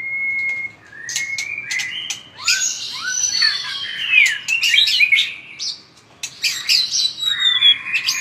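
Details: A white-rumped shama sings with strong tail-flicking, opening with steady pure whistles, then bursting into dense, complex warbled phrases with rapid slurred notes and sharp clicking accents.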